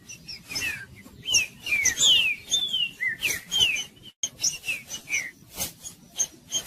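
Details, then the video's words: Green-winged saltator performing its Judas song, a series of rich whistled phrases wavering and dropping in pitch, with sharp percussive clicks scattered throughout. "TRINCA FERRO JUDAS"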